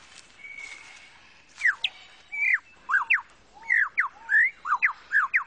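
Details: A male Superb Lyrebird in Australian forest, singing from his cleared display space to attract females, pours out loud, varied whistles mimicking other birds, with quick notes sweeping sharply down and up in a rapid, ever-changing series after a quiet opening.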